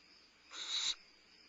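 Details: Midnight at Starr Ranch, 22 May 2011: a limping barn owlet having a meal gives a single swelling, hoarse hiss-screech lasting under half a second, with a faint hum behind.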